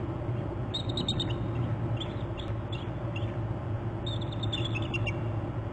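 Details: Male bald eagle giving alert calls off the nest inland on Hornby Island, January 26, before a chase. Two bursts of high, thin chittering notes that step slightly downward, over a steady low rumbling background hum.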